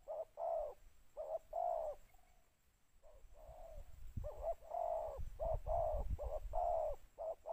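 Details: Decoy spotted dove calling to lure wild doves, in the two-note 'khu-ang' style. Mellow low coos arrive in quick paired bursts, pausing briefly mid-clip before resuming, over soft low rumbling background noise.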